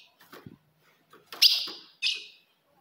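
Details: Female ultramarine grosbeak call meant to provoke a male: two sharp, bright notes half a second apart, each decaying into a short ring, after faint low knocks.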